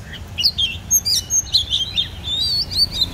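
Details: Oriental magpie-robin, called a legendary warrior bird, singing sweet high whistles and quick slurred notes in a lively phrase over a steady low rumble of background noise.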